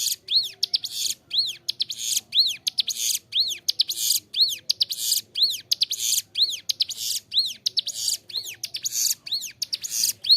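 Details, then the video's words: Bar-winged prinia (ciblek gunung), a captive bird singing vigorously in a tutor recording for training songbirds: rapid, regular series of arched, high whistled notes alternating with harsh buzzy bursts, about one phrase per second, with no other sounds. "Ciblek gunung gacor suara jernih, cocok buat masteran"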